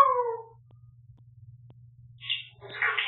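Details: Talkative pet African grey parrot, recorded indoors on a bird camera after a live stream, practising a new dog howl: a short falling harmonic wail opens, then silence over a low hum, then two brief raspy speech-like bursts.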